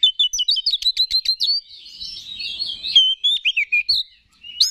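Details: Male-provoking song of an Oriental magpie-robin kept as a competition songbird: a fast burst of sharp ticking chips, then a sliding, wavering whistled warble, ending in short scratchy notes.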